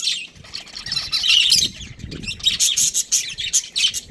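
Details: A breeding pair of budgerigars chirping: dense, scratchy high chatter with bright squeaks, building to a loud burst near the middle, then clipped chirps repeated about three times a second.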